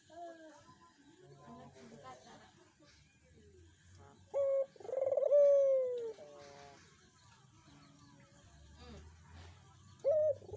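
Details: Dove coos used as a lure to set off a silent dove. Soft speech and room noise first, then a loud rolled coo falling in pitch mid-way and another short coo near the end.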